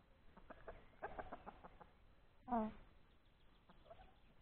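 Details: Outdoor hen laying an egg in the open: a run of short clucks repeated in quick succession, followed by a loud, drawn-out harmonic squawk, then a few softer clucks.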